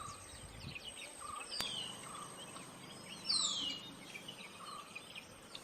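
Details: Silver-breasted broadbill recorded at Bogor, giving one clear, high, thin whistle that falls sharply in pitch, preceded by a fainter short note and a click, against constant insect buzzing and soft background hum.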